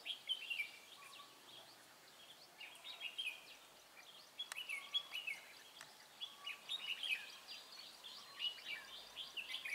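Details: Red-whiskered bulbul used to lure wild birds into a trap, 23 March 2018. Bubbly, quick whistled phrases come in clusters every second or two, with faint lower chirps and occasional sharp taps.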